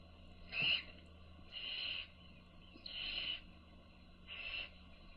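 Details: Baby owls being fed by their mother give harsh, hissing begging calls, four drawn-out rasping bursts spaced about one and a half seconds apart over a faint steady low hum.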